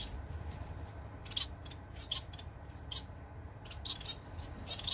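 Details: A Society finch, recorded 15 April 2021, gives short, high, thin chirps about once a second, spaced unevenly, over a steady low room hum.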